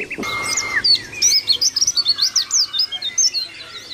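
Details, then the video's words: Mountain white-eye singing a fast, high-pitched warble of slurred whistles and chirps in rapid succession, with a brief lower whistled note at the start. "Masteran Pleci Gacor 🔥 Langsung nyaut"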